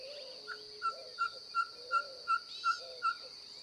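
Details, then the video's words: Ferruginous pygmy owl singing: a run of about seven evenly spaced, mellow whistled toots, roughly three per second, over a steady high insect drone. "cabure cantando"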